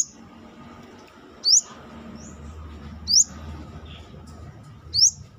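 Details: Brown-throated sunbird calling outside its cage: three sharp, high, rising whistled notes, each quick and clipped, spaced about one and a half to two seconds apart over a faint low background hum.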